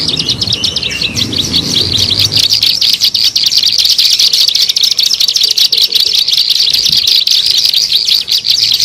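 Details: Ciblek sawah (bar-winged prinia) lure recording for attracting wild birds: continuous thin high chirping and fast buzzy trills, with a brief descending note early on and a soft low murmur in the first seconds.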